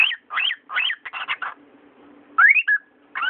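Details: Domestic cockatiel speaking: three looping parrot-voiced syllables and a quick chattered run, a pause, then a rising whistled slide and a short flat whistle before another syllable; steady faint hum beneath.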